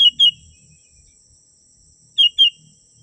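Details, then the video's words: Sooty-headed bulbul, genuine recording used as a lure for wild birds: two crisp, short downslurred whistles, then a matching pair about two seconds later, with a constant high insect drone underneath. "Suara burung kutilang 💯💯% asli"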